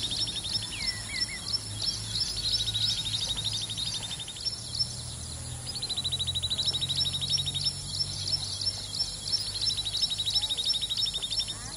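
Common babblers give quick, high chirps with bursts of rapid, even trills lasting about a second, over a low steady hum and outdoor background noise.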